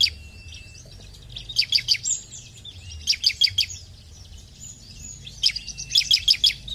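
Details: Ciblek, or bar-winged prinia, singing in full voice to prompt other birds of its kind: quick series of high sharp buzzy pulses in bursts, separated by short thin whistles, with faint low background hum.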